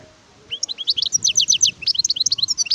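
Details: A wild European goldfinch sings a continuous sparkling twitter of high, swiftly repeated chirps and slurred notes lasting over two seconds, loud and close, with only faint low background sound.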